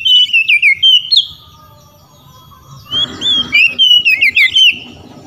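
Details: Oriental magpie-robin belting out song to summon rivals, which answer. A rapid chain of loud, warbled whistles, a quiet gap, then a noisier, busier passage of overlapping whistled notes.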